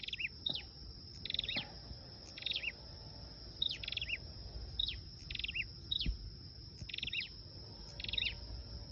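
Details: Lure recording of a flowerpecker, given as brief high ticking notes followed by slurred twitters, in clusters roughly every second against a constant thin whine and soft low noise.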